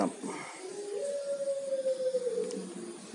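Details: A kept local zebra dove of the Majapahit 'udan mas' type, with golden-yellow plumage and red eyes, gives a soft, low cooing note drawn out for over a second and gently falling, after a few shorter coos.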